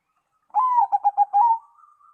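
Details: Zebra dove song that makes other doves answer: a drawn-out opening coo, then four short rapid coos and a longer closing note, all low and mellow, followed by a faint trailing tone.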